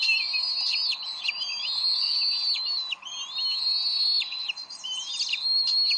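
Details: At the Decorah nest on 30 May 2012, Bald eagles argue over a fish before the female feeds the eaglet. Thin, squealing whistles in long sweeping phrases, broken by short gaps near one and three seconds.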